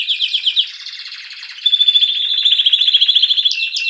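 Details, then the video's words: Canary delivering continuous rapid trills, a rolling pulsed phrase that shifts into a sharper, brighter sustained trill with a few quick upward flicks at the end. "کنری مست/خواندن کناری مست/قناری با صدای عالی/KANARYA sesi"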